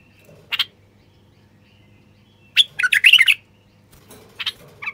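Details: Common bulbul male song to stimulate quiet wild bulbuls to sing and breed: a single sharp note, then a loud tumbling phrase of warbled, whistled notes, followed by a few scattered softer notes over a low hum.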